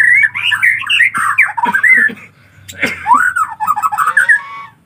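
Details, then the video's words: Nestling collared kingfishers begging: two bouts of scratchy, squawking calls with sliding, wavering notes, separated by a short lull. "Bayi anakan burung Tengkek raja"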